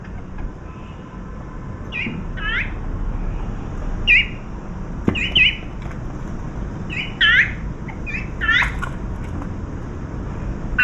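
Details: Five wild azure-winged magpies, a juvenile among them, arrive while a dove feeds and give 'kkuing kkuing' greeting calls: short rising, squeaky squawks in loose pairs and clusters over steady background rumble.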